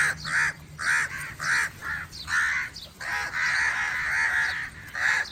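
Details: Crow calling other crows, a run of harsh caws around the mid range, several short ones then a long drawn-out caw, over a low steady hum.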